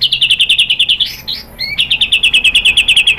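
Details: White-rumped shama song meant to draw other shamas into singing: a dense rapid trill of sharp high chips, briefly broken by a few swooping notes, then resuming at the same fast pace.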